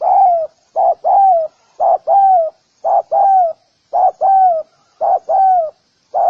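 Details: Spotted dove calling to lure other doves, repeating a steady paired phrase roughly once a second: a short coo, then a longer one that slides down in pitch. Clean, with no other sounds.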